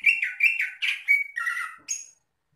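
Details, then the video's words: Short rich phrase from a greater green leafbird: several warbled whistles tumbling together, ending in a lower, buzzy trill and a final thin high note. "kicau CUCAK IJO ini"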